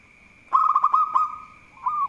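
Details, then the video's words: Local zebra dove (perkutut lokal) singing vigorously, a bird said to be good at provoking rivals: a quick bubbling run of low rolled coo notes merging into a drawn-out trill, then a short rolling coda, over a steady high-pitched whine. "Perkutut Lokal Gacor || Jago Mancing Lawan"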